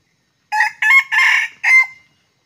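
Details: Wild red junglefowl coming to a decoy during trapping at Sekampung, crowing: a short harsh opening note, then three longer rasping syllables, the last ending in a drawn-out fading tail, over a quiet background.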